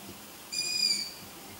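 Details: Owlet of the long-eared owl calling at night: one sharp, high, piercing squeal held for about half a second, compared to a meowing kitten, against a faint low hum.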